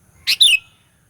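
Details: Lure sound of a sooty-headed bulbul meant to provoke rivals: a single brisk double note, a scratchy burst and then a clear descending whistle.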